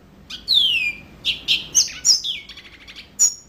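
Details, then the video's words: Yellow-fronted canary in energetic song. It opens with a long, clear downward-sliding whistle, then follows with quick high chips, sharp slurred notes and a rapid, buzzy trilled run. "Mozambik Gacor Full"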